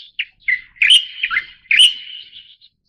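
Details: {'caption': 'Leucistic Light-vented Bulbul, subspecies Pycnonotus sinensis formosae, giving one chattering phrase of quick slurred, warbled notes around a bright mid-high pitch, with short sharp chips in front, over a quiet background.'}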